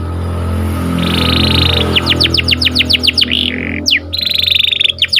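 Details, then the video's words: Canary singing in the morning: a steady buzzy trill, then a fast run of repeated downslurred whistled notes and another rolling trill, over a constant low hum. "Suaranya Merdu Dan Lincah Nyanyian Burung Kenari Dipagi Hari"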